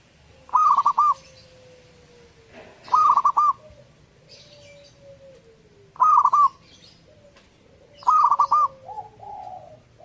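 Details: A zebra dove in full song repeats a short, stuttering coo phrase four times about every two and a half seconds, with faint sliding tones and softer trailing coos between.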